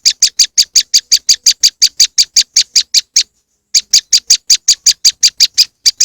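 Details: Moss wren lure sound: rapid rasping chips at roughly five per second, broken by a short silent pause after three seconds before the series resumes.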